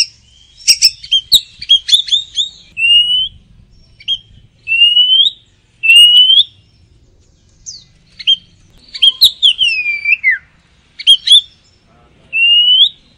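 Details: Oriental magpie-robin, known locally as kacer, singing in the energetic ngoceh gacor style: clear whistled phrases near the middle-high range, slurred rising and falling notes mixed with short sharp chips, delivered in bursts separated by brief pauses.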